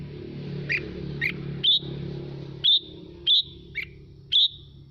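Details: Red-whiskered bulbul used as a song stimulus for other birds: seven crisp whistled notes, mostly clear and level, a few lower and downslurred, over a noticeable droning hum.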